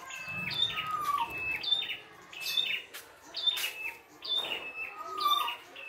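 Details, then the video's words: Red-headed prinia in the wild singing a rich full song: whistled and buzzy rising phrases repeated about once a second, with sharp clicks between phrases. "PRENJAK KEPALA MERAH GOCOR FULL ISIAN"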